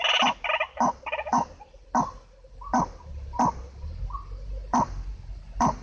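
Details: White-breasted waterhen, recorded as a lure sound for catching the bird: a burst of rapid, stacked, croaking notes, then loud single harsh calls spaced about half a second to a second apart, with a low background hum.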